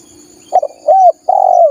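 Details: Spotted dove lure call for wild doves: two short rising notes and the start of a long, level coo, over a low murmur and a faint high insect drone.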